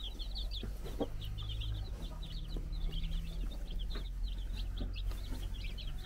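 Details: Several four-day-old chicks on a Czech farm, guarded by a brood hen, giving a stream of short high peeps, some rising and falling, over a steady low hum and occasional knocks.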